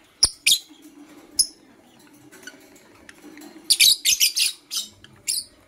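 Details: Morning chirps from Blue Opaline and Parblue Euwing Opaline lovebirds: a couple of sharp, high, squeaky calls, a quiet stretch, then a lively run of scratchy, shrill chirps in quick succession, with a faint low murmur behind.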